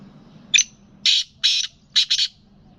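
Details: Sindhi black francolin cross (Gangas lalpotia) utters its grating multi-part call, a sharp opening chip followed by two long harsh rasps and a rapid two-note ending, against quiet background hum.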